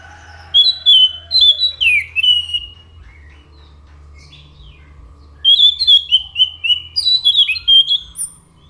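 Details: Orange-headed thrush pouring out rich, varied whistled phrases in two long bursts, with notes stepping up and down and a pause between them. A low background hum runs throughout.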